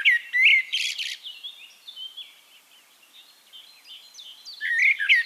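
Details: Eurasian blackbird singing in Castricum, the Netherlands: a short fluted phrase and scratchy burst, then thin high twittering, and the fluted whistles return at the end.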